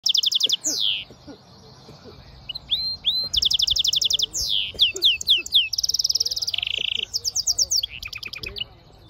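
A goldfinch mule sings a fast, varied song of high twittering trills, rapid buzzy rattles and down-slurred whistles, running on without pause.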